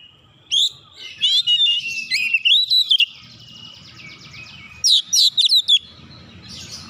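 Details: Oriental magpie-robin heated up by another magpie-robin: sharp whistled notes and swooping slurs, a buzzy stretch, then a final group of four or five crisp high notes.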